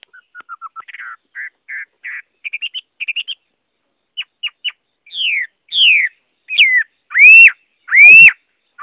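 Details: Varied song of a Chinese hwamei, opening with soft, quick ascending notes and short trills. These build into loud, sweeping downslurred whistles and strong rising whistled notes near the end.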